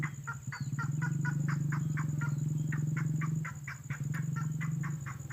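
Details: Red-headed lovebird lure call for drawing birds close: quick repeated raspy chirps, fairly irregular, over a loud low drone that dips briefly after three seconds, with a faint sharp click later.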